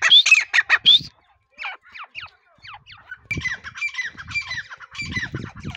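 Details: Grey partridge (teetar) during the breeding season: a burst of loud, harsh squawking notes with short rising whistles in the first second, then fainter scratchy calls and a rougher, noisier stretch of repeated notes.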